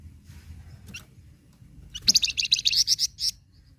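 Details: Flamboyan bird, used to prompt captive flamboyans to sing: after a few faint chips, a lively burst of quick, high, rattling chatter lasting over a second, each note sharp and repeated rapidly.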